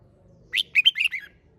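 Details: Single sharp song phrase from a red-whiskered bulbul, competition singing style (hót đấu): four or five quick, rich whistled notes, the last sliding downward, over a faint low rumble.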